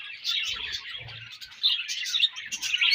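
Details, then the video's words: Several budgerigars chirping during breeding season, a busy overlapping stream of bright, twittering notes and warbles that swells louder in the second half. Faint low thumps sit underneath. "Budgies Breeding Season & Budgies Chirping Sounds"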